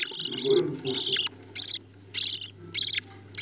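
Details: Budgerigars feeding their chicks: about six rasping, high buzzy begging bursts with short pauses between them. A thin rising whistle appears near the end over a faint steady hum.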